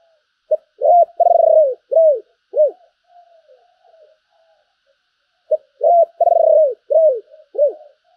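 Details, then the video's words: Caged decoy spotted dove in full calling coo: two phrases, each a brief opening note then a run of loud hoarse low coos with a longer middle coo, falling at the end, separated by soft murmurs. "Tiếng chim cu gáy mồi đẹp mã hót hay, thúc và gáy gọi"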